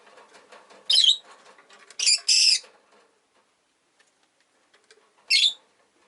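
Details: Rosy-faced lovebirds, five caged at a window while rain falls, squabble over perch positions. Three bursts of scratchy chirps, a double one in the middle, over soft clicking and light street background.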